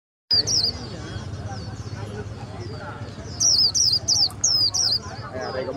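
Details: Tame Swinhoe's white-eye at a bird market, warbling even with a camera held close; thin, high twittering notes, sparse at first then a quick run of bright looping chirps near the end, over a man's voice and steady market hubbub.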